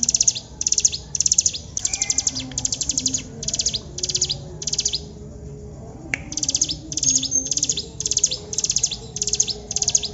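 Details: Lively hill prinia delivering long song bursts: repeated high, dry, buzzing trilled phrases in quick succession, a short pause midway, then another fast series over low background noise.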